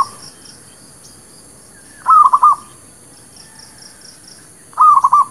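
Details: Lure for trapping and for new birds: a Zebra dove (merbuk kampung, perkutut lokal) gives two quick cooing phrases of four notes, nearly three seconds apart. Faint high bird chirps come in between.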